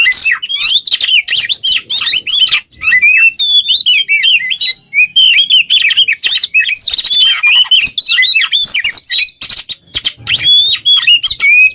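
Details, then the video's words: Kacer, the Oriental magpie-robin, in extended 'ngobra teler' song meant as a training model for songbirds: rapid varied whistles, rattles and chatter, continuous apart from a few short breaks. "GACOR burung KACER ngobra teler cocok buat pancingan MASTERAN"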